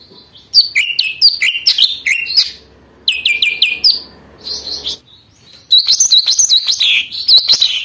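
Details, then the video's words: Lesser green leafbird of the mini type, vigorous song played to excite young trainee birds and as a master model; long varied phrases of sharp chirps, slurred whistles and twittering, with one short quiet break before a dense final run. "cucak ijo mini super gacor, ampuh untuk pancingan emosi burung bahan dan untuk masteran"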